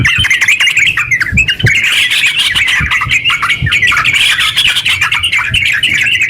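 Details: Yellow-vented bulbul kept as a cage bird, singing a long rapid 'ngeropel' string meant to stimulate other bulbuls; busy, chattering, slightly squawky notes pour out nonstop, with a few soft low thumps underneath.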